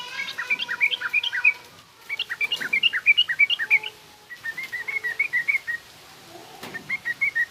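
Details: Yellow-vented bulbul giving 'garuda' style song and coarse 'ngriwik' chatter, recorded to teach young birds. Several quick, lilting phrases of warbling notes; faint steady hum and whistled tones underneath.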